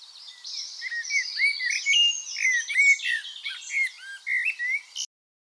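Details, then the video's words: A common blackbird gives an alarm call at 4:30 in the morning outside a bedroom window: a busy run of sharp, high chirps and short chattering notes, with other birds calling faintly behind. "Blackbird 4.30 Alarm Call"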